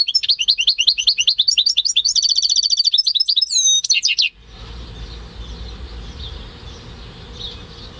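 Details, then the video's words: Home-bred male European goldfinch × canary hybrid singing, recorded in May 2015: a rapid, fairly even chattering series of high twittered notes, shifting into a buzzy trill and a few ringing whistles, then stopping abruptly as background hiss returns. "Saka Melezi Ötüşü"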